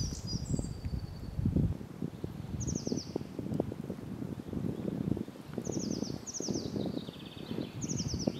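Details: Semi-collared flycatcher, first accepted Netherlands record, 7 May 2021, DNA-confirmed, gives thin, very high, quick squeaky note runs about every one to two seconds, over steady low wind rumble.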